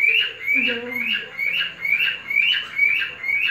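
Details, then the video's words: Kept male cockatiel courting a female with his special whistling: bright upslurred notes repeated about twice a second, steady and even, with a brief low human voice behind. "Tease The Cute Female Cockatiel"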